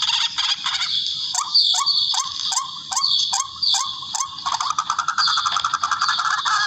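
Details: Barred rail call, tikling in the local name, played as a hunting lure: sharp clicks with short upward-slurred squeals about every half second, merging into a steady harsh chatter.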